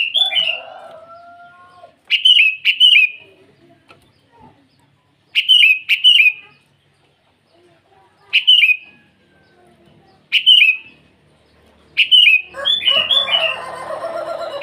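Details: Sooty-headed bulbul calling rivals in the morning, repeating short bubbly, downward-slurred phrases roughly every two to three seconds, ending over a burst of lower chattering noise.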